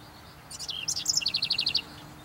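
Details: House wren giving its typical song: a quick bubbly tumble of high notes, then a run of about eight evenly spaced, rapid chips ending abruptly, all within under two seconds.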